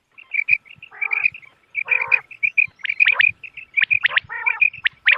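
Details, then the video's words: Common quail calls played as a hunting lure on moonlit nights, recorded 3 November 2025: quick clipped high notes repeated in rapid runs, broken by rough, lower, harmonic-rich bursts. "بٹیر کی آواز چاندنی رات کیلئے quail bird sounds for hunting common quail bird bater"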